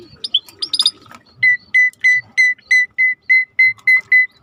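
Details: Vigorous starling song recorded for training other songbirds: a few sharp chirps and twitters, then about eleven clear, even whistled notes repeated roughly three times a second at a steady pitch.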